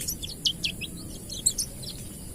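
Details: Oriental white-eye of the wild 'ngalas' type, a standard recording used as a lure to stimulate other white-eyes to sing. Short, thin, high chirps and twitters scattered unevenly over two seconds against a steady background hiss.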